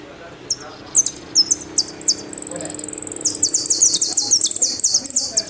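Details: Argentine goldfinch, in a song style called "El Meryl" with knocks and whistles: high, thin notes in short bursts, then a fast rattling trill and a run of rapid repeated phrases. Faint low background noise underneath.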